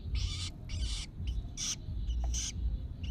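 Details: Long-tailed shrike chick being trained to feed itself: harsh, hissing raspy bursts, each about a third of a second, repeated in quick succession, over a steady low rumble.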